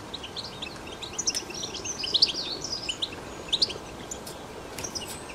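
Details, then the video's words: Twittering song of a wild European goldfinch in natural surroundings: scattered sharp, high chirps and a few brighter, louder notes near the middle, over low background noise. "تغريد , طائر الحسون بتبته , الخلوي طائر الحسون في الطبيعة"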